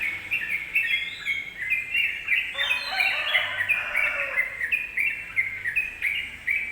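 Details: Lure song of a yellow-vented bulbul, played to make other birds quickly agitated: quick run of chattering, bubbly notes with a denser, overlapping burst in the middle, over faint background noise.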